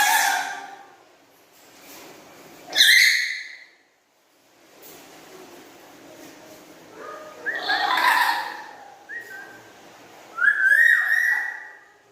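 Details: Pet black-capped lory's loud chatter over about twelve seconds: scattered rough squawks, a brief quieter stretch, then a mix of harsh bursts and bright sliding whistles.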